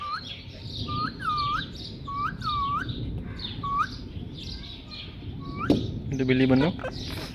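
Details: Indian ringneck parakeet copying a cat's meow with a string of bowl-shaped whistled notes, dipping and rising, about two per second, then a rough buzzy squawk near the end over room noise.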